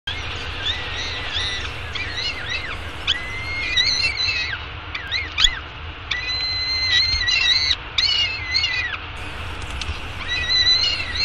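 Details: Peregrine falcon chick, a young eyas at a downtown Arizona nest, calling while being fed breakfast on May 24, 2016 at 9:28 am; repeated high, harmonic, wavering squealing calls, some flat and sustained, some bending up and down, over steady low city hum.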